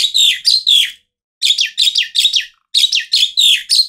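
Asian pied starling singing in three bursts of four or five loud, slurred, falling chattery notes, about four a second, with short pauses between bursts.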